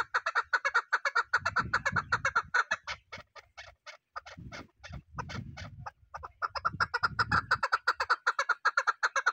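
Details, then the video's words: Series of fast, throaty chuk notes from a chukar partridge, slowing and thinning in the middle amid low rumbling thuds, then speeding back up into a tight, regular chatter. "Beautiful sound of Partridge | Chakor ki awaz | Hunter Partridge voice"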